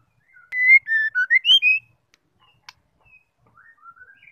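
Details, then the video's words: White-rumped shama, female call used to make a male sing: one bright whistled phrase of six notes, dipping and rising, then faint soft chirps. "MURAI DISITU NGAMUK DENGAR SUARA MURAI BETINA INI❗ LANGSUNG NYAUT TERCEPAT"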